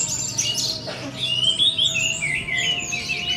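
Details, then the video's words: Four-month-old orange-headed thrush in its 'teler' singing style: a continuous, rapid run of high, varied whistles and sharp chattering notes with quick slurred rises and falls, over a faint steady low hum. "Baru 4 Bulan Anis Merah Anjarmoro Telernya Seperti Ini!!"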